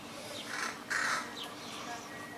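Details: Young crows in a tree near houses give two short, grating calls, the second louder, followed by faint thin chirps from other birds.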